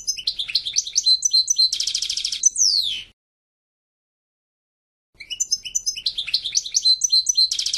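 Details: Lively goldfinch song: rapid high twittering notes, a dense buzzing trill and a falling whistle, followed after two seconds of silence by another stream of quick bright chirps and a buzzy ending.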